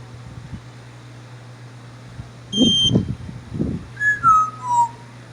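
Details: African grey parrot whistling: a high, steady piping tone, then three slurred whistles that fall in pitch, with soft low thumps beneath and a constant hum throughout.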